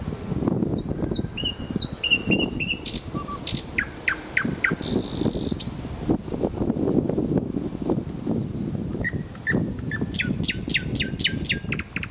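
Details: Nightingale song in Kuzminsky forest park: varied phrases of high whistles, repeated chips, buzzy notes and quick rattling runs over about twelve seconds, against a constant low rumble of background noise.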